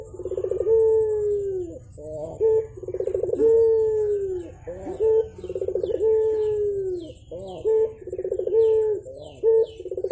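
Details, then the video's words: Javan turtle dove, called burung puter in Java, calling vigorously in the morning: low rolling stuttered coos leading into a long drawn-out mellow note that falls slightly at the end, repeated about every two and a half seconds. "BURUNG PUTER GACOR , TEMAN NGOPI PAGI HARI BIKIN ADEM SUASANA"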